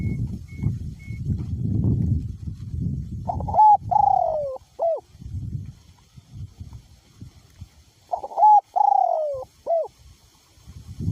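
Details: Spotted dove, a caged decoy bird with a voice running small to middle, cooing despite strong wind: two identical phrases about five seconds apart, each a short note, a long sliding hoot and a clipped final note, over gusty low rumble.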